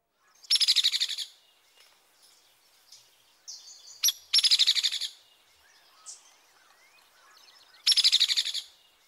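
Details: Hairy Woodpecker rattle: three quick, even bursts of dry, high-pitched notes, each under a second long and spaced about three and a half seconds apart, with faint softer calls between bursts.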